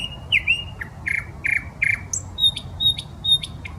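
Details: In a Saint Petersburg park by the Smolenka a common nightingale opens with a slurred whistle, follows with repeated rasping notes, then a series of thin high pure tones, against distant low city noise.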